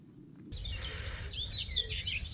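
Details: During a dawn chorus on a UK smallholding, a Common Whitethroat gives a brief burst of scratchy, chattering song, high and jumbled, after a moment of quiet, over a low rumble of wind.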